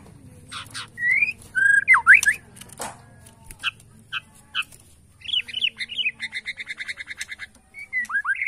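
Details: White-rumped shama from Borneo, caged, in "sujud" style singing meant to rile opponents: varied loud whistles, sharp chirps and a fast rattling run of repeated notes, with brief gaps of near silence.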